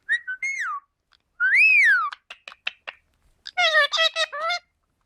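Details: Green and yellow Indian ringneck parakeets, kept as pets, talking. Two whistled phrases, rising then falling, followed by clicks and a burst of speech-like syllables.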